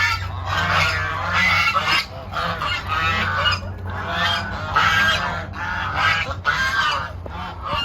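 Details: Domestic geese at a village poultry farm in Malaysia, kept in an open, sunlit fenced area with little shelter, honk in loud, nasal, overlapping bursts, with a steady low hum behind them.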